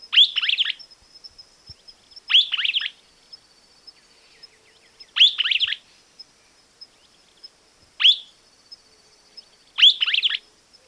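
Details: In Argentina, a Streaked Flycatcher gives squeaky, high, down-slurred phrases, about one every two to three seconds, over a faint, steady, high insect-like hum.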